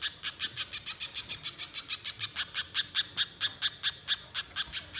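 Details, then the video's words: Energetic spiderhunter chatter meant to lure wild birds: a fast, regular string of scratchy, high chipping notes, about four to five a second, running without pause. "Masteran Pijantung Gacor Nyerecet Panjang Untuk Suara Pikat Di Alam Liar"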